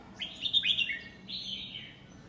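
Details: Caged Red-whiskered bulbul, nine months old, competition-bred in Thailand, singing the "lak wai" song style: a loud warbled phrase of bright slurred notes that dip and rise, then a second sliding whistle after a short pause.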